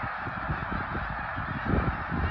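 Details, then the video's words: Snow geese at Middle Creek in 2022: a dense, continuous roar of many overlapping honking calls merging into a steady wash, with low rumbling underneath. "Middle Creek snow geese 2022"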